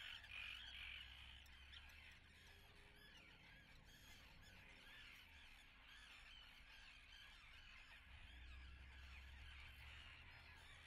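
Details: Common terns at their nests in Atlit, 10 June 2010: many rasping calls overlap continuously, loudest at the start, with a low rumble coming and going in the background.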